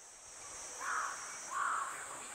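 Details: Crow, a natural enemy that targets a young goshawk while it eats on a tree branch, recorded without music on 6 July 2022: two hoarse caws about 0.7 seconds apart over a steady high hiss of insects.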